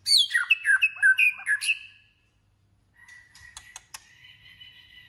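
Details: Voice-training White-rumped shama in a singing contest: a loud two-second phrase of varied whistled and scratchy notes, then a quiet pause with soft clicks and a faint thin whistle.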